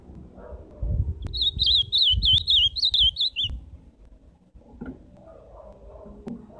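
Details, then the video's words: Ultramarine grosbeak song heard live: a clear, wavering whistled phrase of rapid up-and-down notes lasting around two seconds, ending on a falling note, with low thumps and soft room noise around it. "Canto do azulão ao vivo!"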